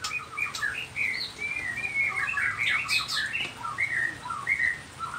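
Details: Nias white-rumped shama in full gacor isian song, a stream of short whistled and chirping notes, some slurred up and down, delivered rapidly over a steady hiss of background noise.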